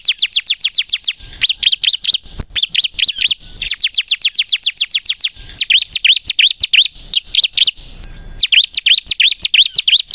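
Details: Ciblek kristal (bar-winged prinia) in vigorous lure song; alternating bursts of fast falling chirps and looping twangy notes, repeated over ten seconds with short gaps.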